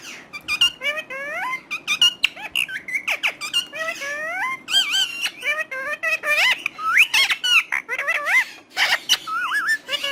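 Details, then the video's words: Talking parrot pouring out a long, lively stream of mimicked speech: squeaky, swooping syllables, clicks and brief harsh notes, almost without pause, indoors. "Romeo One Of The Best Talking Parrot"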